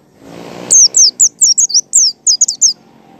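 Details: White-eye ngalas song, a lure to prompt other white-eyes to sing: a brief burst of broadband noise, then a fast string of about ten high, thin, downward-slurred whistled notes delivered in quick succession.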